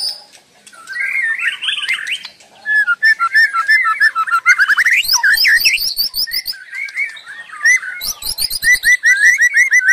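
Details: Continuous white-rumped shama song, rich whistled phrases mixing slurred notes, sharp high chips and fast trills, ending in a quick series of repeated clear notes.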